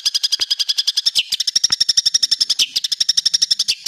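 Long-tailed shrike in a harsh, rapid chatter of scratchy high notes, about nine bursts a second, running unbroken with no other sounds.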